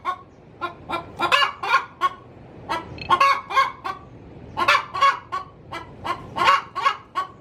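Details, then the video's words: Hen calling in her coop as she prepares to lay an egg, a long run of sharp, harsh clucks and squawks in uneven bursts, some notes rasping and loud. "Suara asli ayam betina cocok untuk digunakan memanggil ayam hutan"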